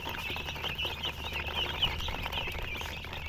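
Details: Brief burst of chicken chirping, many thin high peeps overlapping in a steady chatter above a low rumble.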